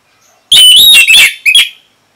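Orange-headed thrush giving a loud, rich burst of warbled song, sweet whistles mixed with scratchy, rapidly changing notes over about a second and a half.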